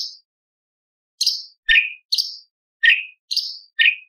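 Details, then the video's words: Tembakan song with lovebird, parakeet, ciblek and pancawarna imitations from a light-vented bulbul: high thin downslurred chirps alternating with lower, fuller whistled notes, about two per second after a short pause. "CUCAK CUNGKOK ISTIMEWA - TEMBAKAN ISTIMEWA ISIAN LOVBIRD PARKIT CIBLEK PANCAWARNA"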